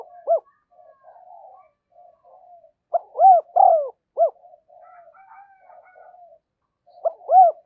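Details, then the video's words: Spotted dove used as a decoy, giving luring coos: soft low murmured notes throughout, broken by two loud phrases of rounded, gulping coos. "Chim Cu Mồi Thúc Và Gáy Gọi Bổi Nhanh Về Cội"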